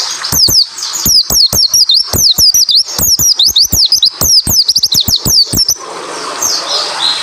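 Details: Japanese white-eye delivering tight, fast tembakan song, used to coax idle white-eyes into answering; about six seconds of crisp, very high, sliding whistles packed in rapid succession before the singing stops and faint hiss remains.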